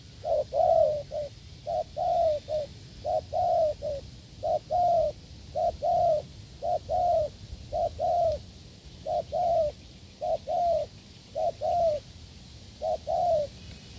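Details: Long run of forceful coos from a wild field spotted dove, encountered while a decoy test failed: short-long coo pairs repeated steadily about once a second, low background rumble throughout.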